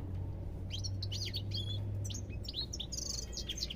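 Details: Twittering goldfinch song of bright rapid chirps and short buzzy trills, phrases running almost without pause, over a prominent low steady hum.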